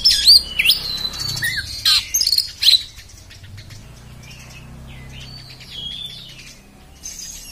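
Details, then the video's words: Oriental magpie-robin song with loud sharp chirps and whistles in the first three seconds, then softer scattered whistled notes over a low background rumble. "kacer beset beset kasar bikin emosih"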